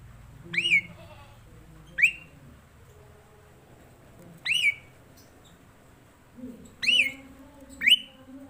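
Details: Jalak suren, the black-collared starling, singing five separate sharp upslurred whistles spaced one to two seconds apart over a quiet low background rumble.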